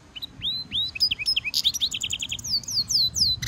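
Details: Singing goldfinch mule, a European goldfinch hybrid, in a song-training stimulation recording: quick rising and falling whistled slurs, rapid chattering chips, a rattling burst, then a string of downslurred whistles ending in a harsh buzz.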